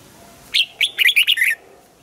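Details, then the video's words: A red-whiskered bulbul sings in morning training for the double-note 'old forest' style, delivering a single rapid phrase of about six rich, up-and-down whistled notes. "Luyện giọng cho chào mào hót sáng, ép chào mào hót âm kép già rừng hay tuyệt!"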